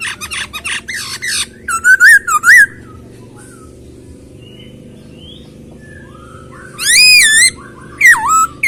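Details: Masked laughingthrush song beginning with harsh stuttered notes and wavering whistles, a quiet gap, then loud arching whistled phrases rising and falling near the end.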